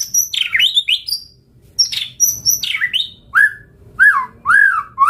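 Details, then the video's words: Caged white-rumped shama song meant to trigger answering birds: high piercing notes and steep sweeping slurs, then several lower, fuller whistled phrases that rise and fall, spaced about half a second apart. "Pancingan Murai Batu Gacor Auto NYAUT Langsung RESPON - Masteran Suara Burung Murai Gacor Full Isian"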